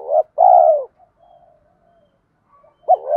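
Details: Spotted dove calling, male and female voices used to stimulate training birds: a long mellow coo sliding downward, a soft trailing murmur, then a fresh phrase beginning with a sharp rising note.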